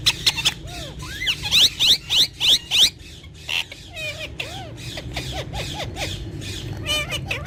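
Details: Ringneck parrots calling in captivity: a run of five loud, harsh, evenly spaced squawks, then softer rising and falling chattering notes and sharp clicks, over a steady low background hum.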